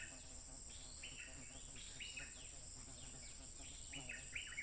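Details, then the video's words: Wild stripe-throated bulbul singing nonstop, recorded by smartphone on 15 June 2021: clear bubbly phrases of short, stepped notes, repeated in quick bursts, over a steady high insect drone and low background rumble. "Burung Merbah Lekir Liar Terbaik Garang Tanpa Henti Berbunyi"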